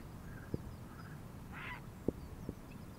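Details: Grey heron, a wild winter visitor in Palestine: one short, harsh, hoarse squawk lasting about a third of a second, over low rumbling background noise with a few sharp clicks.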